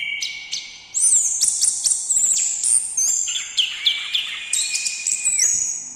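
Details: Short quiet notes, then an orange-headed thrush bursts into loud song after one second, with long level whistles and quick chips interleaved in steady phrases.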